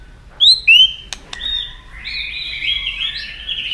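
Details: White-rumped shama giving a fighting song while flicking its tail to provoke a rival: two bright, high whistles, two sharp clicks, then a soft, continuous warbling phrase.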